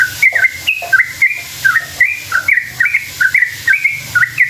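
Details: Lively sooty-headed bulbul song meant to draw answering calls from other bulbuls: quick chains of warbled whistles stepping up and down, phrases coming every half second or so, with a low hum underneath.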